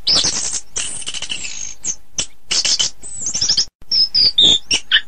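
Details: Orange-headed thrush masteran song: a rapid, varied run of high, scratchy chirps and whistled bursts with brief pauses, ending in short sliding whistles.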